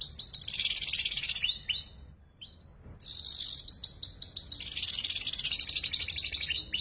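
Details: Young canary practising ngeriwik song, played as tutor song for shama and magpie robin birds: buzzy high trills broken by quick slurred whistles, a short pause, then more rolling trills at roughly two to three notes a second.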